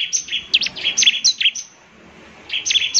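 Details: Bar-winged prinia singing to provoke answers from other prinias: a short run of high whistled and chipping notes, a brief pause, then the phrase starting again.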